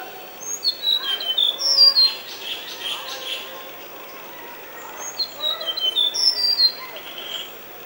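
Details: Tickell's blue flycatcher (Cyornis tickelliae) recorded at Nandi Hills, Bangalore, singing two bursts of high, thin, tinkling notes that trill up and down, with a pause between phrases over soft background hiss.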